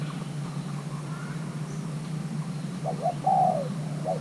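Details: Young male Thai-hybrid spotted dove in pairing calls near the end: two quick short notes, a drawn falling coo, then another short note, after quiet background hum.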